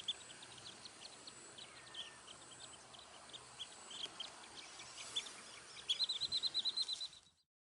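Eastern yellow wagtail giving thin, high chirps, ending in a quick run of about eight sharp notes, over a steady background hiss.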